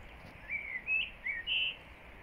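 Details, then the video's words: Common blackbird singing before and after rain on 25 April 2024: four short, clear whistled notes in quick succession within two seconds, with a faint steady hiss of outdoor background noise. "Śpiew kosa przed i po deszczu"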